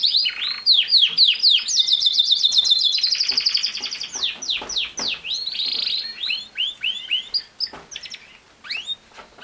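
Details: Canary song with fast rolling trills, sweeping up-and-down slurs and a sustained buzzy tour, fading into looser separate chirps toward the end.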